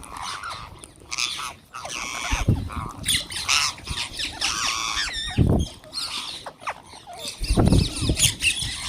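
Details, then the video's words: Wild green parrots calling while being fed: a flock giving harsh, broadband squawks and screeches that overlap throughout, with several loud low thumps and rustles nearby. "Wild Green Parrots Making Beautiful Noises"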